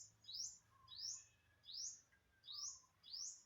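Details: Bird of unknown kind recorded on September 27, 2022, repeating a high, thin, upward-slurred chirp about every two-thirds of a second, five notes in a row with quiet gaps.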